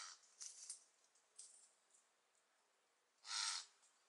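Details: A fledgling Lidth's jay practising leaving the nest gives harsh, hissing begging rasps: a few short scratchy bursts early on, then one loud, drawn-out screech lasting about half a second.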